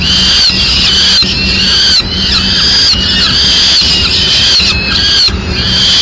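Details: At a Madrid peregrine falcon nest the male feeds a swift to the young. Sharp, rising and falling squeals repeat in close bursts, roughly one per second, over a low steady hum.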